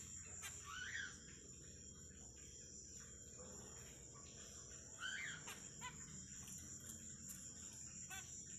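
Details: At night in an aviary with plastic plants, a pair of zebra finches calls. Two brief nasal, arched calls come about four seconds apart over a constant high-pitched cricket hum.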